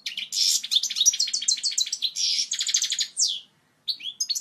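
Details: European goldfinch delivering clear, strong song to teach young birds: a dense, rapid run of tinkling trills and buzzy rolls that ends in a falling note, a pause, then fresh twitters.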